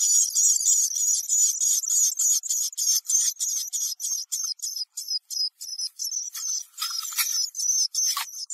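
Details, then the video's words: Black-capped chickadee at backyard feeders, searching for food and taking sunflower seeds: a long run of rapid, buzzy, high dee notes repeated about three times a second, growing rougher and more broken near the end. "What Does a Black-Capped Chickadee Sound Like? - Chickadee-dee-dee Call Sounds - Chickadee Call"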